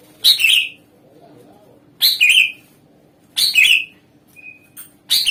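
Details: Greater green leafbird singing loudly as a lure meant to draw replies from other songbirds: bright, slurred whistled phrases, each dropping in pitch, repeated roughly every one and a half seconds, with a steady low hum behind.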